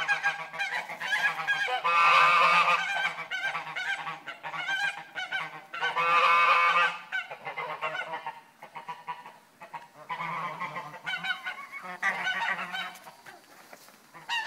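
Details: An agitated goose honking loudly and hoarsely in uneven bursts, with a few long rasping blares among rapid stuttering honks, about three per second, across the whole stretch.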